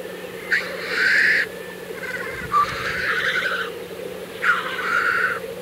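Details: Three drawn-out rushing hisses, each about a second long, from black grouse at an April 2024 lek in Kologriv Forest, Russia, set over a continuous low bubbling chorus.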